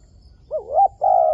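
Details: Wild dove cooing during trapping to lure doves, a wavering rising coo followed by a long steady mid-pitched note, clear and close against quiet low rumble.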